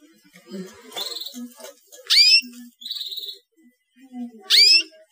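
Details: Young canary chirping, played to stimulate silent canaries into singing: two loud, brief downward-sweeping chirps about two seconds apart, with soft buzzy notes and faint background music between them.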